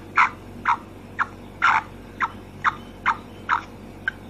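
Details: A female black francolin gives a run of about nine short, scratchy clucks at a steady pace near two per second, the fourth note longer and fuller, with a soft hum behind.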